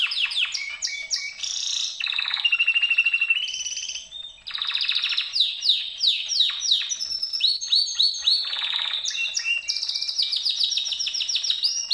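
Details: Domestic canary, either a Gloster or a Yorkshire breed, singing a long unbroken song of fast buzzy trills, rolling pulsed tours and downslurred whistled notes, high-pitched and loud throughout with brief switches between phrase types.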